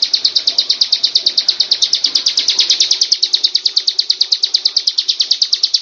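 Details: Bar-winged Prinia (ciblek) giving a fast, high, rattling trill of sharp notes, about eight per second, held steady throughout with only faint background noise.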